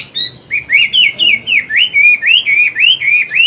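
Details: Chinese hwamei, an older wild-voiced bird, singing in the morning to train and stimulate a young bird; loud clear whistled phrases, rising then falling, repeated about four times a second in a steady run.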